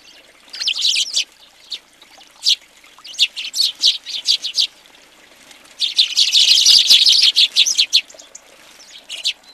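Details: House sparrows gathered in numbers at a feeder in Recke, Germany, in January 2020, giving bursts of bright, high chirps in irregular clusters, a dense chattering spell around the middle.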